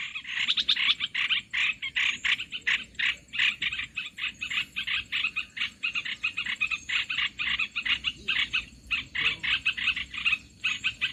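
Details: Lure recording of Olive-winged bulbul for bird trapping: relentless scratchy chattering, notes stacked rapidly in long runs with only a few short breaks.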